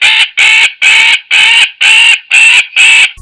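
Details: A magpie gives a harsh, rasping alarm or distress chatter: seven grating, noisy calls in about three seconds, roughly twice a second, with no other sounds.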